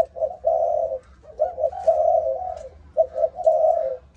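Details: Spotted dove, Malaysian line, 'âm thổ' voice style. Three close phrases of soft, throaty coos, each a quick stutter running into a long sustained note, over a low steady hum.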